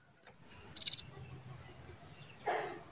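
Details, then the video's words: Caged female canary calling to stimulate a male into breeding condition: a brief high whistled note followed by a fast buzzy burst of about five pulses, then a short rasping noise; quiet background with a steady faint high hum. "CUITAN KENARI BETINA MEMANCING BIRAHI JANTAN"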